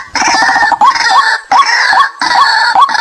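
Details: White-breasted waterhen decoy call for luring wild birds: loud, harsh, rasping croaks in half-second to second-long bursts, each ending in a slurred rising note, separated by brief gaps.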